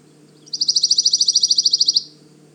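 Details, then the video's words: A Pine Warbler, a short-distance migrant that arrived in April, sings from the forest canopy at Manchester Cedar Swamp Preserve, New Hampshire. Its song is a steady, musical single-pitched trill of about eighteen quick notes lasting about 1.5 seconds, over a faint hum. "Their song is a repeated, single-pitched trill. Listen closely..."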